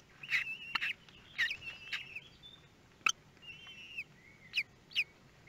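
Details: Common kestrel nestlings hatching at Théding, France, 24 May 2022; high squeaky whistles and buzzy chirps in uneven bursts, over clicks and faint rustling.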